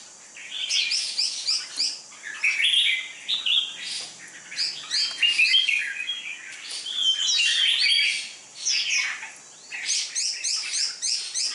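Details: Contest red-whiskered bulbul ('chào mào mộc đỏ'), dark-bibbed, slim and with a killer fighting style. It sings a long series of rapid, jumbled, bubbly whistled phrases, three or four bursts a second, pausing briefly between bouts.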